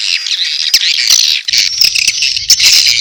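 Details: Edible-nest swiftlet mating call mixed with chick calls: dense, continuous high twittering and chirping with rapid overlapping notes, steady throughout, with a faint low rumble in the second half.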